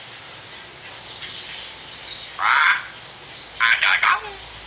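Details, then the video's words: Common hill myna mimicking speech as training audio for other birds: a harsh, voice-like burst midway, then three rapid rasping syllables near the end, with faint high chirps and steady hiss behind. "Masteran Burung Beo Bicara"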